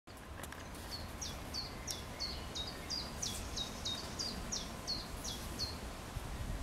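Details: Common chiffchaff singing on 1 June 2020: a steady series of about thirteen short, high, alternating notes, roughly two per second, faint against loud rushing background noise.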